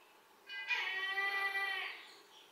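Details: A Brahminy kite calling right at a window gives one drawn-out, wheezy mewing cry lasting over a second, steady in pitch with a slight waver, in an otherwise quiet setting.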